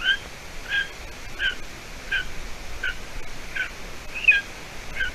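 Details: Golden eaglet at the nest in Latvia, 30 June 2020 around 6:20 p.m., as its mother brings roe deer hide; eight high, piercing downslurred squeaks, slightly uneven in spacing, over quiet background.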